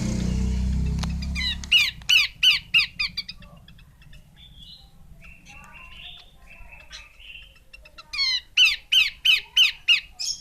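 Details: Female Horsfield's babbler calling in two bursts of harsh, squawky downslurred notes, about three per second. A quieter pause with soft murmuring notes separates the bursts, and a low rumble opens the clip.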